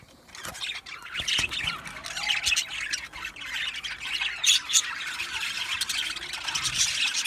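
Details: Budgerigar aviary colony: rapid chirps and harsh squawks repeated several times a second, building in loudness from a quiet start to steady busy chatter.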